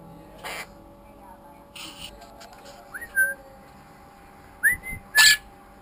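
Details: A 10-week-old female pet monk parakeet (Quaker parrot) gives short rising whistles between harsh bursts, with a steady indoor hum behind.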